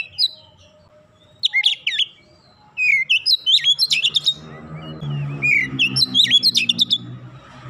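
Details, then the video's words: Kacer, the Oriental magpie-robin, sings dense 'nembak rapat' phrases of loud whistled and buzzy notes in quick succession. A steady low droning hum runs beneath the latter half. "terapi Kacer bahan cepat gacor nembak rapat"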